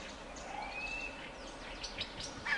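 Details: White-crested laughingthrush flock with one long level whistle, then a jumble of cackling, chattering notes from several birds that builds toward the end, over faint ambient noise.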